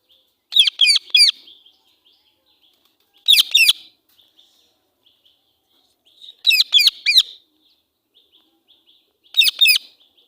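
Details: Female Indian ringneck parakeet calling angrily in four short clusters of harsh screeches spaced about three seconds apart, with faint soft chatter between them.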